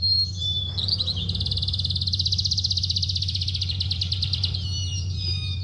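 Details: Oriental skylark delivering a sustained rapid high trill lasting several seconds, opened and closed by short whistled notes, over a steady low hum.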